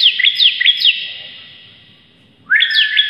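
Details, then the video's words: Vigorous bar-winged prinia song: three quick, sharp upslurred chirps, a fading pause, then a fresh burst that opens with a rising sweep into more high, bouncing notes. "CIBLEK GACOR ngotot berantakan"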